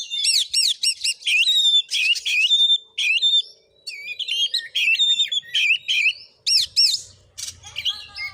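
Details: Oriental magpie-robin in a fighting singing session, recorded at a house in Padang Gading village, Muko Muko, Bengkulu, Indonesia; loud rapid whistled phrases with rising and falling slurs and harsh buzzy notes, in bursts with short pauses.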